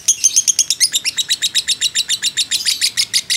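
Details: Fighter lovebird kept as a training model, delivering a long ngekek: fast, shrill, buzzy chattering pulses in an even run of roughly six per second, loud and clear with a quiet background.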